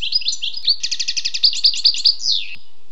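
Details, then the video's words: Wild European goldfinch singing: a quick run of liquid twittering notes. Bright trilled and buzzy elements repeat several times per second, then end in a short descending slur. The background is quiet. "le doux chant du chardonneret sauvage"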